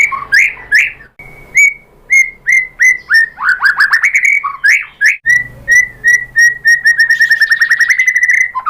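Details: White-rumped shama singing as a lure to make other birds answer: loud, rich whistled phrases with slurred notes, then long series of rapid repeated piping notes, about three per second, speeding into a trill near the end.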